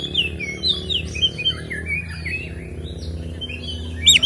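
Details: Oriental magpie-robin (kacer) in full song, a fighting-style ngeplong song with fill-ins, used as a lure to make other magpie-robins agitated; varied whistled phrases and rapid chirps, fairly soft, with a low steady hum beneath.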